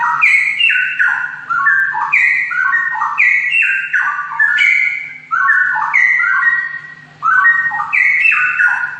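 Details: Straw-headed bulbul in full continuous song, with mellow gurgling whistled phrases of quick sliding notes, each burst a few seconds long with brief gaps between, over a soft steady low hum.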